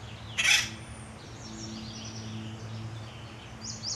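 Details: A male Acorn Woodpecker (full red crown) gives one loud, harsh, rackety burst, then fainter scratchy high notes and a final sharp call, over a low steady hum; a rackety call typical of woodpeckers.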